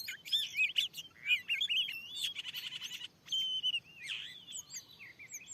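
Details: Wild oriental magpie-robin near a lure at a new field site, called very aggressive: looping whistles and a harsh buzzy rasp, then slurred notes and a falling swoop.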